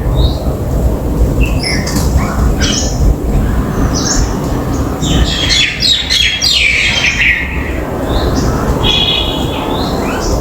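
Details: On a balcony, a common myna gives scattered short squawks and whistles, then a burst of loud, grating chatter mid-recording, followed by a short series of rapid buzzy notes; constant low rumble behind.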